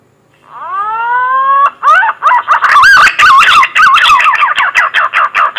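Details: Lure call of a green pigeon, played for trapping: one long clear whistle climbing steadily in pitch, followed by a rapid, bubbling series of looping whistled notes that rise and fall, repeated roughly three times a second.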